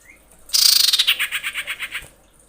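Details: Female common iora in breeding condition calling to males: a rapid series of about a dozen high, harsh chattering notes lasting one and a half seconds, fading towards the end.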